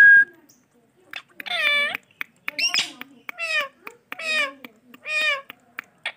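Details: Talking male ringneck parrot repeats nasal, harmonic word-like syllables about once a second, each bending downward, mixed with short clicks, in a quiet room.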